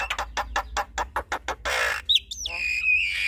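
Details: Javan myna pair, male and female, singing together. About a dozen evenly spaced harsh chacks come first, then a broad hissing screech, then a long wavering whistled note.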